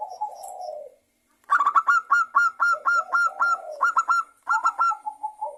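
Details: Local zebra dove, lure song used to get other doves singing: a soft low coo, then a fast series of sharp, ringing staccato notes repeated about four per second, ending in a lower coo.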